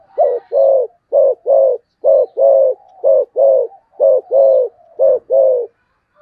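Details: Spotted dove performing rapid 'thúc gù tốc độ' cooing: steady, evenly spaced pairs of low, mellow coos, a clipped note and then a fuller one, about one pair per second with no break.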